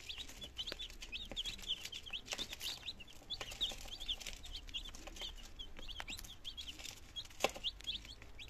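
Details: A group of nineteen healthy chicks on their second day, Germany, September 2022, starting to eat and drink; shrill downslurred peeps overlap in a constant busy chatter, punctuated by sharp taps and knocks.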